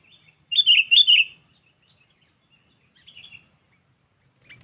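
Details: Sooty-headed bulbul calling a rival, a lure call for catching birds without traps: two loud, sharp chirping phrases close together, followed by a faint short twitter and a lone distant note.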